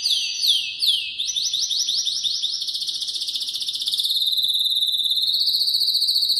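A Spanish Timbrado canary sings loud, high notes. Quick falling whistles come about three a second, then run into a long, steady, metallic rolling trill.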